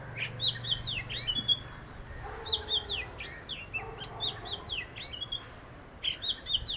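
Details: Oriental magpie-robin, one of a visiting pair, singing a rich, varied string of clear whistled notes and quick slurred phrases, high-pitched and delivered in bursts with brief pauses, over a low background hum.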